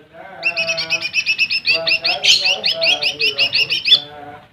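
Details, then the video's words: Lesser green leafbird song meant to provoke rivals. An unbroken, rapid string of bright, high, sharply repeated notes with a brief harsh rasp midway, steady and loud throughout. "SUARA Cucak Ijo Mini | Pancing Emosi Burung Lawan"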